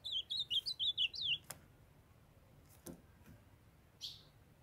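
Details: Ultramarine grosbeak in captivity, the young male singing as the female calls to stimulate him. A brisk phrase of roughly eight looping whistled notes lasting just over a second, then faint clicks and a short soft chirp.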